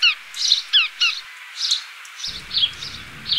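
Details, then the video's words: Sparrow chirps: a few sharp, down-slurred high notes in quick succession, followed by softer, rounder chirps at a slower pace; light background noise. "sparrow and sparrow voice"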